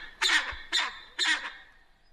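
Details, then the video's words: Common pheasant uttering three harsh, hoarse, raspy notes about half a second apart, each fading quickly, with nothing else clearly heard. "Фазан. Голоса птиц"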